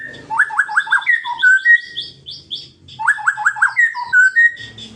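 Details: Song of a white-rumped shama meant to provoke rivals: a phrase of four quick descending chirps, then clear whistles and a series of higher buzzy notes, the whole phrase repeated after about three seconds.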